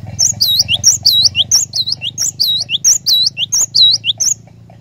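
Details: Glatik batu, the cinereous tit, in a lure song for prompting other birds into steady 'ngerol' singing: about fifteen bright, high, curved whistles in rapid paired bursts over a soft low hum.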